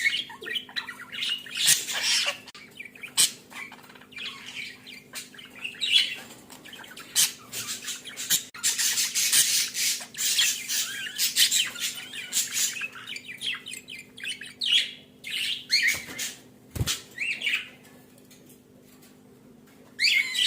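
Budgerigars chatter and squawk in bursts of high, scratchy warbles during mating.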